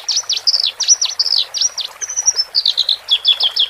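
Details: Horsfield's bush larks, male and female, singing in cages to help new birds adapt. Quick swooping notes that dip and rise repeat in a row, then a thin high whistle and jumbled chirps follow.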